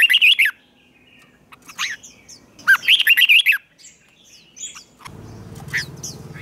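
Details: Red-whiskered bulbul competitive song used for training: rapid bursts of chirpy, rolling whistled phrases with short pauses between them, followed by a low steady rumbling hum in the final seconds.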